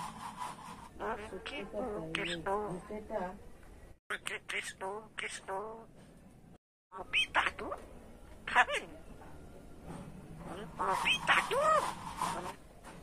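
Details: Pet common myna, rescued as a chick after a storm night destroyed its nest on a light post, said to speak over 100 phrases including swear words; harmonic, speech-like utterances in bursts with brief silent gaps and a rising whistled syllable.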